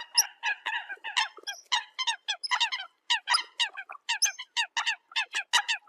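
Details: Rapid, harsh clipped notes from Eurasian coot calling the flock, delivered in quick bursts with brief pauses throughout.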